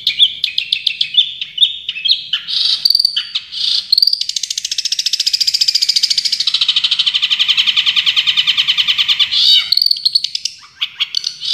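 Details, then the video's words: Champion Long-tailed shrike in song full of tembakan. Varied chips open the phrase, then a long, steady, very rapid buzzing trill lasts about five seconds before it breaks back into mixed, quick notes. "Masteran Cendet Juara full tembakan"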